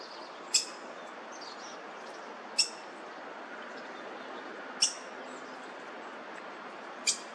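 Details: Black-headed grosbeak nest with three nestlings in a laurel in a front yard in South Eugene, parents feeding them, late June; short sharp high chips repeated about every two seconds over a steady pressure-washer hum.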